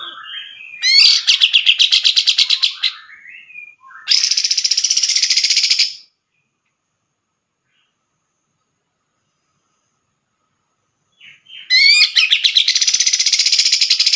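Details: Grey-cheeked bulbul tutor song for training other songbirds: soft whistled notes lead into loud, rapid, buzzy rattles in two bursts of about two seconds each, then a long silence and another rattling burst.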